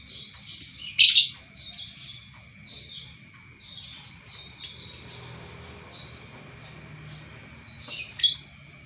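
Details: Lovebird morning chirps: a loud harsh squeaky note among softer scratchy twittering, a long stretch of faint chatter, then another sharp buzzy chirp near the end, with a faint constant tone.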